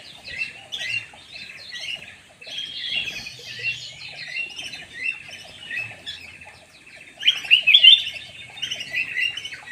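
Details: High chattering and squawky warbles of a black-naped oriole lure call, running continuously and swelling into a louder, harsher burst late in the sequence.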